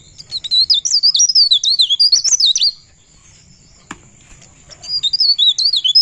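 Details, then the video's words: Pare pare bird in 'ngerol' rolling song: quick chains of high, zigzagging whistles for nearly three seconds, a pause broken by a single click, then another fast warbled run. "Burung Pare Pare Ngerol"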